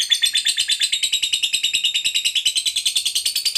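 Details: Competition fighter lovebird giving the long 'ngekek' trill, a continuous high, buzzy chatter of fast, even pulses that runs without a break through the whole stretch.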